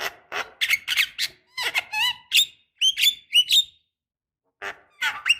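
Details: Javan myna producing a busy, varied mix of harsh squeaks, grating notes and bright rising whistles in quick succession, with one short pause. The recording is intended to coax young mynas to respond.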